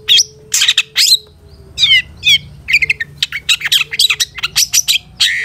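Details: Long-tailed shrike song used as a master recording for training caged birds: varied, high, scratchy chirps and short down-slurred whistles, growing denser and faster toward the end over a steady low hum.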